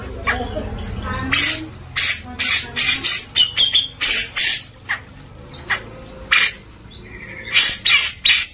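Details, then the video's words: Grey-cheeked bulbul in full song for tutoring white-rumped shamas: rows of loud grating squawks, roughly two per second, broken by short pauses and a few faint thin whistled notes. "Suara cucak jenggot gacor"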